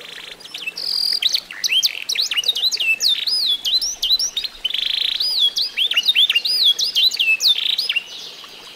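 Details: Tutored F1SF canary aged eight months sings a long, varied warble. Curling, bouncing whistled notes are broken by short steady buzzy tones, running continuously for about eight seconds.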